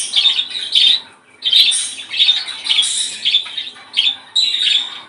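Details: Budgerigar singing to stimulate breeding: bursts of squeaky, scratchy chirps and short squawks in phrases about a second long, separated by brief pauses, indoors.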